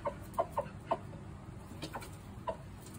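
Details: Rooster uttering four brisk clucks in under a second, then a few softer scattered notes and one last cluck, against a low rumbling background.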